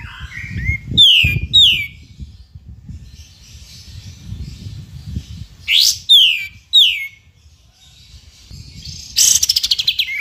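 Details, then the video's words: Kapas tembak masteran audio for training caged songbirds: scattered sharp downslurred whistles in pairs, separated by quieter stretches with low background rumble, ending in a fast, harsh trill. "Masteran Kapas Tembak pancingan Ampuh"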